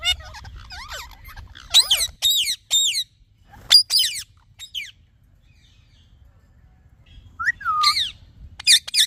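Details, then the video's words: Talking parrot giving scattered bright chirps and short squawky notes in small bursts, with a long quiet stretch in the middle before a few more sharp calls. "Talking Parrot Chirping Sounds"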